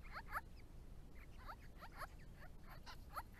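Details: A group of Grey-crowned Babblers coming to a pond put up for them in 2017, uttering paired downward-sliding notes repeated roughly every half second, clear over low rumbling noise.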